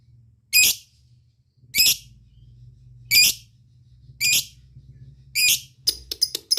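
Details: Lovebird calling to companions: five loud, harsh, high chirps spaced about a second apart, then a quick burst of shorter clicking notes at the end.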